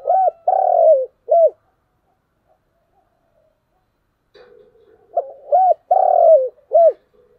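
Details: Two mellow cooing phrases from a spotted dove in the morning, each with quick hoots, a long purring middle note that falls away, and a short final coo, separated by a quiet gap.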